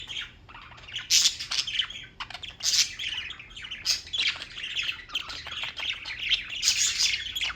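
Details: Pet birds in New York chirping continuously: dense, high squawky chirps and short tweets in overlapping bursts, with louder harsh notes roughly every one to two seconds.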